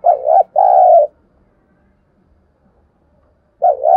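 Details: Spotted dove used as a lure bird to excite wild doves. Two mellow, hoarse coos run back to back, a long silence follows, then a further pair of coos begins at the close.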